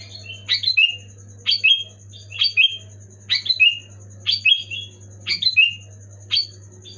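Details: Sooty-headed bulbul singing loud and clear, used to spur lazy caged bulbuls into song: around eight chirpy whistled phrases at a steady pace, each a quick falling flourish, with a persistent low electrical hum behind.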